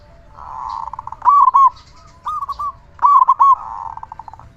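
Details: Strong-voiced local zebra dove singing steadily, a lure to get other zebra doves singing. Softer rolling coos build into two loud staccato cooing phrases nearly two seconds apart.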